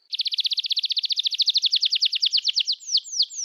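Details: Energetic canary song, played as therapy for canaries that have stopped singing: a rapid, even trill of high chirps about ten per second, slowing at the end into three descending whistled slurs.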